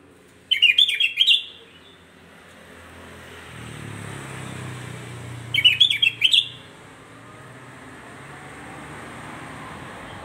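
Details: Provoking song of a sooty-headed bulbul, said to excite other bulbuls within seconds: two short, bubbly phrases of quick chirped notes about five seconds apart, then a low rumbling background.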